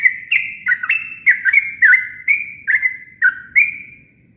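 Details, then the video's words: A Sooty-headed bulbul's natural, unembellished song: a fast run of bubbly, liquid whistled notes, each dipping then leveling, about three per second, with faint low background rumble. "Suara alami burung trucuk"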